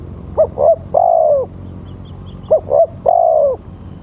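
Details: Male spotted dove calling as a lure for other doves: two phrases, each two short clipped coos followed by a long, drawn-out slightly falling coo, about two seconds apart, over a low background hum.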